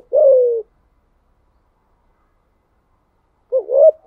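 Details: A spotted dove's low coo in the thúc gù style: one long falling note, a pause of about three seconds, then the start of a wavering double note.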